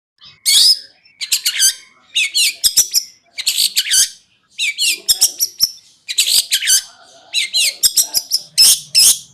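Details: Long-tailed shrike (cendet) in the konslet singing style, used as a tutor recording for training songbirds: bursts of harsh, high chattering and scratchy notes, in phrases of about a second separated by short pauses, with a faint low hum near the end.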